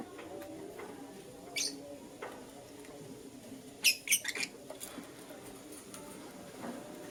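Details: A lutino lovebird chirping in the morning: an isolated shrill note, then a quick burst of several piercing high chirps in a row, over a low, steady murmur.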